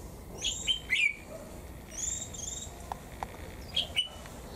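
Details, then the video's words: Japanese white-eye kept in a cage, singing 'họa kép' double-style with 'líu thung' phrases in cold 11 °C weather: high whistled notes and short rising-falling chirps in small clusters, a faint background hum. "chú chim khuyên HỌA KÉP nét siêu đẹp hàng líu thung ngày rét ( 11 độ C )"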